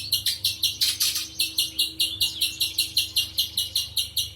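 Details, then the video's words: Sharp, high chipping notes from a spectacled spiderhunter, repeated quickly at roughly two and a half per second in a continuous run, with a low hum underneath. "Burung pijantung besar"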